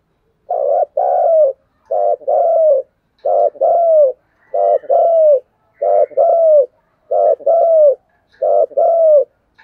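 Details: Energetic cooing from a decoy spotted dove: low, mellow two-note phrases, the second note drawn out and falling, repeated eight times at an even pace, clean and uninterrupted.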